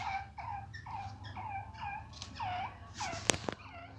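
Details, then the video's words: Grey francolin of the Babu Sindhi type, a chakri-style caller said to give 270 calls a minute: rapid repeated hooked notes about every half second, over a steady low hum and a couple of sharp clicks. "Aik mint ki 270 awaz + chakri wala teetar"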